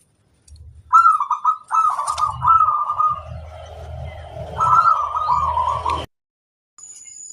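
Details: Local zebra dove singing vigorously as a tutor recording: two long trilled cooing phrases separated by a slurred middle section, over a low rumbling background, with faint chirps above.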